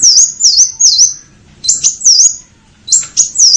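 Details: Purple-throated sunbird (Leptocoma sperata) gives song bursts of high, sharp, rapidly swept notes, three or four to a burst, with short pauses between bursts.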